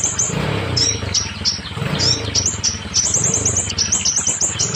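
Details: Scarlet minivet song aimed at stalled or molting birds: scattered high, clipped notes becoming a quick chattering series of shrill chirps near the end, with a pulsing low rumble underneath.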